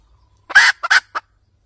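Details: Red junglefowl hen cackling, used as a lure for trapping wild junglefowl: a short burst of sharp clucks around one longer, harsher drawn-out note, then a final clipped cluck, in otherwise quiet surroundings.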